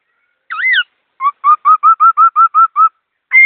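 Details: Songbird giving a twisting whistled note, then a steady series of about nine short, clear whistled notes at an even pace, ending in another rising whistle; no other sounds.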